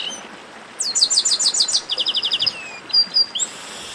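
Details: Chestnut-capped blackbird in the baderna song style: a rapid series of bright, descending whistled notes, then a faster run of short, clipped high chips, ending with a few thin, rising whistles.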